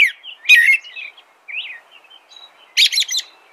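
An American robin sings short, clear whistled phrases that rise and fall, broken by bursts of high, squeaky, rattling notes.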